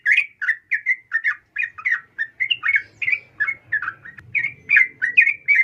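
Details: Female sooty-headed bulbul calling a male, a lure for male birds: a steady series of clear, bubbly chirps repeated about three times a second throughout, over a quiet background.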